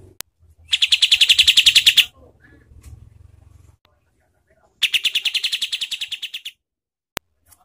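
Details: Cotton pygmy goose call used as a master recording for training competition songbirds, described as harsh and fast: two rapid bursts of about a dozen buzzy, evenly spaced pulses, each burst lasting well over a second, with a softer low rattle between.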